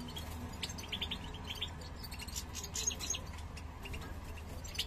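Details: European goldfinch, a male urging the female to nest and breed; quieter scattered high chirps and short twitters over a low droning background.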